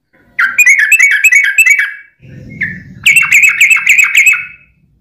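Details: ["Rapid bubbling warble of a yellow-vented bulbul, a gacor 'ropel' lure meant to draw song from other bulbuls; two chattering bursts separated by a short low rumbling noise."]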